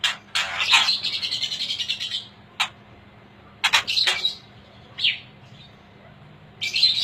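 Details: Aceh white-rumped shama of top quality giving rich rapid whistled phrases with trills, broken by sharp clicks and short rising notes, quiet pauses between bursts, faint low hum behind.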